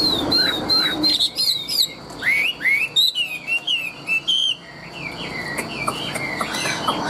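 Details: A tame Chinese hwamei, large and a fine loud singer, pours out a rapid series of looping, rising and falling whistles that trail into softer notes.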